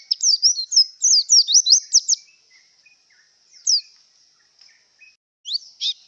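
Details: Breeding-condition white-eye song: a quick cascade of high, slurred chirping notes for two seconds, a lone down-swept note, silence, then a couple more sharp chirps.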